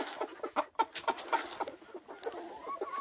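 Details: Silkie chickens on a small Vermont farmstead giving quick soft clucks, several notes per second in an uneven run, with rustling in the background.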